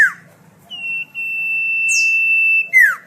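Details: Melodious common iora song, used for tutoring caged songbirds: a falling slurred note, then one long, steady, high whistle held for about two seconds, ending in another quick downward slur, with a faint buzzy high note in between.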